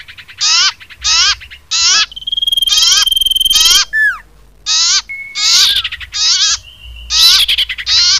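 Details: Lure call of the common iora, used by trappers: rasping bursts with downward-slurred elements about every half second, broken by a long flat whistle and a short falling whistled note.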